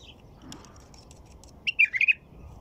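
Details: White-eared bulbul delivering a single rich, chortling phrase near the end: five rapid liquid notes, rising then falling, preceded by faint distant chirps and a soft background hiss.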